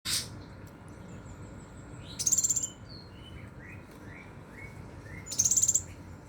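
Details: Scarlet minivet singing in the intense 'nembak' style: two short, very high buzzy trills of rapid pulses, about three seconds apart, while another bird gives soft rising whistled notes lower down and a steady faint hum continues.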